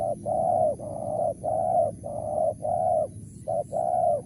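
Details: Wild spotted dove giving its Mersik-style call: a run of mellow, low, drawn-out coos, most of them long and level, with one short clipped note before the last. A faint steady high whine and low rumble sit beneath.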